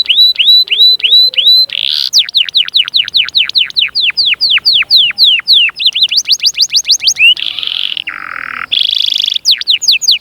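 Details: Canary singing to stimulate chicks into song and prepare hens: a repeated series of flat high whistles, then a long run of sharp falling notes, bursts of trills and a harsh buzzy stretch near the end.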